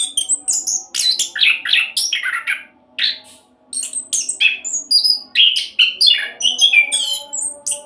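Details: Orange-headed thrush delivering a rapid varied song, intended as a lure to make other birds sing. Busy bursts of chirps and squeaky trills, a brief pause near the middle, then renewed quick phrases, with low hum behind.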